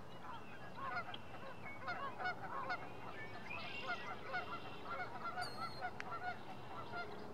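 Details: Double-crested cormorants at their nests in early April, with parents feeding the young by regurgitating fish as the young beg: a dense, overlapping chorus of harsh croaks and chattering calls, with brief high whistles from other birds.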